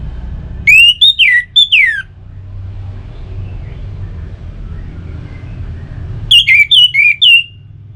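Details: Orange-headed thrush singing, a sound used to stimulate kept birds: two bursts of rich whistled phrases with falling slurs, several seconds apart, over a steady low rumble of distant traffic.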